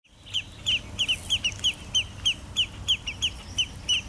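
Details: Spotted sandpipers, an adult and a juvenile, in a territorial dispute at Jamaica Bay Wildlife Refuge, Queens, New York City: sharp, high piping notes repeated rapidly and steadily, about three per second, over faint background hiss.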